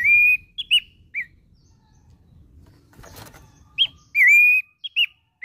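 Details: Abbott's babbler (pelanduk semak) in energetic song, evoking hillside scrub: a long level whistle and short notes, a pause broken by a brief click burst, then another drawn-out whistle with quick follow-up notes.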